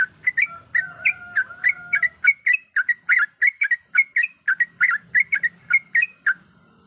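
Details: Sooty-headed bulbul female calling a male while in breeding condition. Dense, rapid strings of chirped notes, some doubled, run steadily for about six seconds. A faint sustained whistle-like tone lies beneath the first part.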